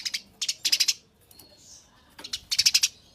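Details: Eurasian tree sparrows fighting: short clusters of sharp, high chirps, two to five notes each, separated by brief pauses, with a faint soft note in the gap.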